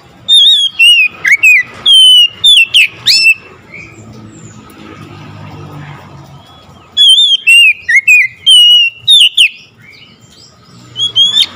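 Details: Oriental magpie-robin answering another magpie-robin with vigorous song: two bursts of loud, rapid, looping whistles and sharp chirps separated by a few seconds of near silence with a low rumble, possibly traffic.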